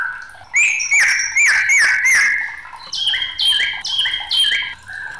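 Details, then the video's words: Agitated white-rumped shama singing, with a series of slurred, ringing whistles repeated about twice a second, then a second run of higher, clipped whistled notes in a steady beat. "SUARA MURAI BATU NG4MUKK"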